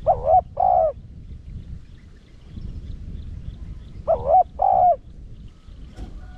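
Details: Spotted dove giving the urging 'thúc' coo in the 'Rặc Đồng' voice, used to draw in wild doves: two paired low hooted phrases about four seconds apart, each a brief wavering note then a longer even one, with quiet background noise.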